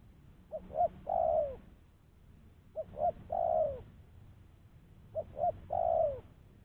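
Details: Spotted dove used as a lure to attract other doves, its clean voice said to be good: three regular phrases, each two quick low hoots and a drawn-out coo dropping in pitch, with a faint steady hum beneath.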